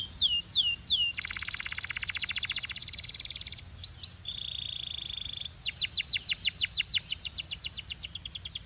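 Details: Belgian canary pouring out song: sweeping whistles, a long rich churring roll, a steady held whistle, then a fast series of bright, repeated swooping notes.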